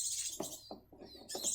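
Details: Grey-cheeked bulbul young in captive breeding in South Jakarta, perching on the second day after removal from the nest: loud, hissy, high rasping bursts open and close the moment, with soft low taps between.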